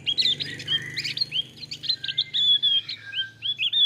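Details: Male Javan grey-throated white-eye from Java's high mountain forests, pouring out a continuous, lively warble of high whistles, trills and sharp chirps with long clear notes.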